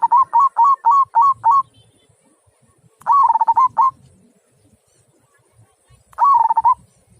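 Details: Local zebra dove in the big-voiced 'kung' song style: a quick series of six staccato cooing notes, then two more rolling cooed phrases after pauses, with a faint low rumble underneath.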